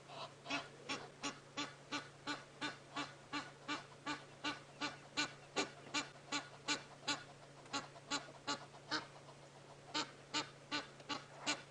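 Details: Egyptian geese at Djuma Game Reserve, South Africa, on a 7:30 safari drive on 22 August 2016, give harsh, hoarse honks in a steady run of about two or three each second, over a low constant engine hum.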